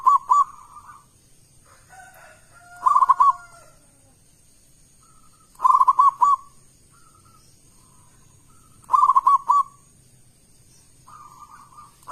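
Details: Local zebra dove with a strong voice singing as a lure: five short phrases of three to four bouncing coos spaced a few seconds apart, with faint scattered calls in between.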